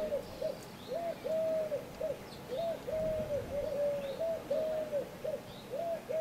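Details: Eurasian collared dove (Streptopelia decaocto) at Le Mont-Saint-Michel, France, in May 2013, giving soft, hollow, low three-part coos, the middle note held longest, with faint small-bird chirps behind.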